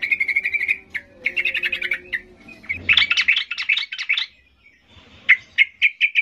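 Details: Sooty-headed bulbul singing in an excited, provoking way to draw responses from quiet birds; a trill, chattering runs, a loud bubbly burst, then a string of sharp repeated notes.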